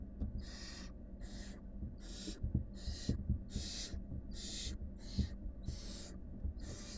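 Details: Barn owl chicks from a wild family of mother and five nestlings hiss in strong regular bursts, nine in seven seconds, with scattered scuffling knocks and a low hum.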